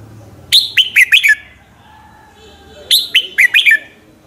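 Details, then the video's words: Lure recording of a red-whiskered bulbul singing in the morning: two quick phrases of five bright, clear notes dropping in pitch, about two and a half seconds apart, over a soft low hum. "luyện giọng chào mào hót buổi sáng, Hót hay nhanh lửa"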